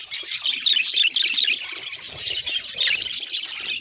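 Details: Budgerigar, a pet bird, producing fast, grating, high chirps that run together into a rough warble. Occasional brighter squeaks stand out over the steady chatter.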